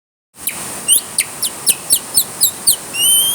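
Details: A bird singing in the rain: thin, high whistled notes repeated about four times a second, ending in a longer rising whistle, over a steady hiss of rainfall.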